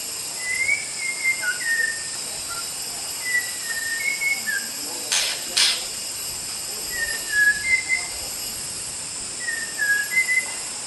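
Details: White-rumped shama singing a training recording for other birds: short groups of two or three whistled notes, some dipping in pitch, repeated every few seconds, with two brief sharp noise bursts midway and constant background hiss.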